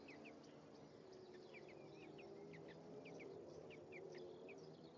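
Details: Male and female European greenfinch interacting at the nest, 1 May 2015, with short upward chirps given singly and in pairs, irregular and fairly quick, over steady low background noise.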